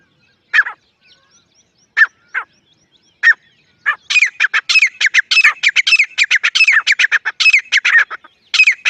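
Grey francolin: a few scattered harsh notes, then a loud, rapid run of repeated grating, squealing phrases that builds into a continuous chorus.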